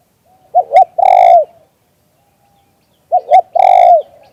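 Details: Spotted dove cooing in the 'liu tan' style, recorded live: two paired coos, each a quick double note followed by a long, smooth, falling coo, about two and a half seconds apart, with a quiet background.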